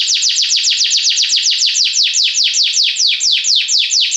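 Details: Belgian canary song: a steady run of bright, high notes, each sliding downward, repeated about five times a second.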